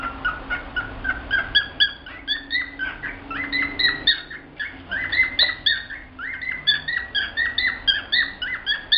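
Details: Pet male cockatiel singing, typical of males that tap the perch and hold their wings in a heart shape: steady chattering whistles and squawky notes repeated several times a second throughout, with a faint low hum behind.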